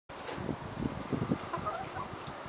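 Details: Wyandotte bantam hen, gold black-laced, gives a few soft, low clucks in quick succession, then brief higher notes, over a steady background of rustling.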